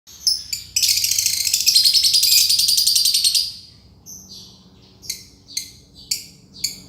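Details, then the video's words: Green lovebird in its long ngekek trill: one sustained, harsh, buzzing trill of about two and a half seconds, then a series of short, sharp, high chirps spaced under a second apart. "Burung lovebird ijo, ngekek panjang"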